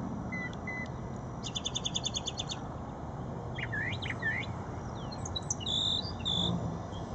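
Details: Brown thrasher singing at Shred-It Pond: two short whistled notes, then a fast even trill of about ten pulses, followed by looping slurred phrases and higher squeaky notes, with low background rumble.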